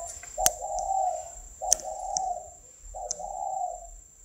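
A dove gives three low, mellow coos about a second and a half apart. Sharp clicks and a thin, steady high whine run behind.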